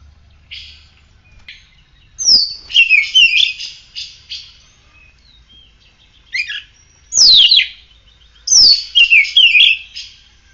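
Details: Oriental magpie-robin, kept bird singing after morning sunning and dew, delivering loud bursts of sharp downslurred whistles with rapid scratchy warbled notes, phrases separated by pauses of a few seconds, over quiet surroundings.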